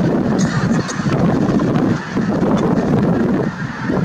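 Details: Snow geese on 22 January 2023 at Merced National Wildlife Refuge, a California wildlife refuge: many honking voices merge into a constant din, with a few higher squeaky notes early on.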